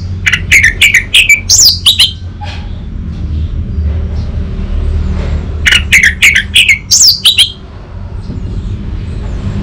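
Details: An orange-headed thrush (Geokichla citrina) call played as therapy to trigger males into answering gives two bursts of rich, varied, high whistled phrases with quick chirps and slurred notes, about five seconds apart, over a steady low background rumble.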